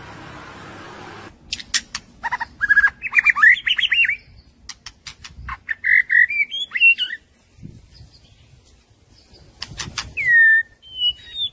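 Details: Young white-rumped shama singing in forest-voice style: loud whistled slurs and rising warbled phrases near the middle range, broken by sharp clicking notes and short pauses, with a faint hiss at the start.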